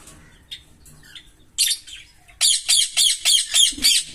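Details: Green Fischer's lovebird pair, captive, calling: a harsh squawk, then six loud raspy shrieks repeated rapidly and evenly, about three to four per second.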